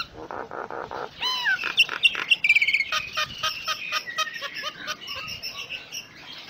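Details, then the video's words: Common myna with a richly varied fill-in song. Nasal repeated notes lead to rising whistled slurs, then fast chattering and scratchy notes that fade toward the end. "Suara Kicaun Burung Jalak Nias Full Isian"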